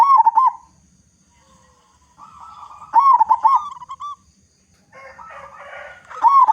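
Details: Local zebra dove in loud song, used to lure other doves into singing: bubbling trilled phrases open, recur near the middle and close, with soft coos and a brief rougher burst between.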